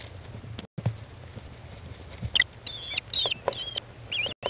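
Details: American kestrel mother with chicks at day 15 in a nest box, 20 May 2011, 13:54; quiet shuffling at first, then high, drawn-out whining calls with downward endings in the second half.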